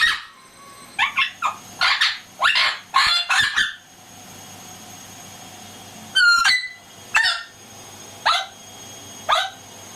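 An Amazon parrot gives a rapid burst of harsh, raspy squawks, pauses, then four clear whistled notes that slide down in pitch, about a second apart.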